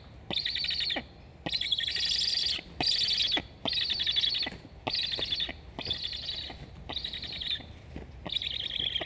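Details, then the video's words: Two black stork chicks at a wild nest in Estonia, 26 August 2021, one begging for food while its sibling flies along the nest, give wheezy, hissing begging calls in bursts of about a second, with faint clicks between. "asks to eat. Both are chirping."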